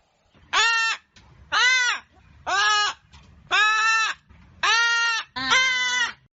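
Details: Hyacinth macaw in nature repeating loud, raucous, arched squawks, six in a row at roughly one-second intervals, the last one harsher and more grating.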